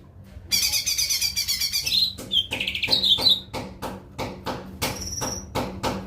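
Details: Lesser green leafbird song: a dense, rapid chattering warble with high twittering phrases and whistled notes for about three seconds, followed by a run of sharp, repeated clicking taps.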